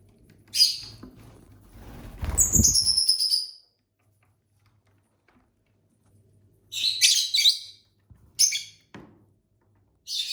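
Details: ['Pet lovebirds from a flock of six kept at home, eating and singing; rasping chirps, a drawn-out high whistle over rustling and munching, then a quiet gap before more clustered squeaky chirps.']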